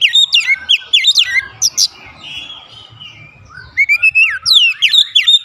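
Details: White-rumped shama singing as a lure to make other shamas sing eagerly: rapid runs of loud, sharply swooping whistled notes, a softer warbled passage in the middle, then another fast burst of steep rising-and-falling whistles.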